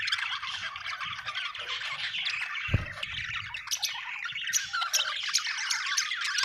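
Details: Australian budgerigar chirping in a happy mood: dense rasping warble with squeaks and chatter throughout, one low thump near the middle.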